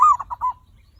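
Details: Zebra dove song used as a lure so other birds start singing: one short, clipped phrase of a longer opening coo followed by three quick rounded notes, with a soft low hum beneath.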